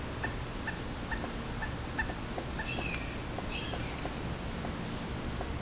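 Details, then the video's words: A Pileated Woodpecker at a backyard creek, caught on a trail camera and likely working a downed tree, gives a series of loud, evenly spaced notes about twice a second over steady hiss. Another bird gives a brief higher warble midway. "Pileated Woodpecker call with drumming"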